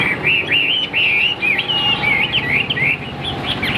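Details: Caged Chinese hwamei of the tam hoàng (three-yellow) variety, filmed in the afternoon while not yet singing at full strength: a steady run of loud, warbling whistled phrases, rapidly bending up and down, with short gaps between bursts.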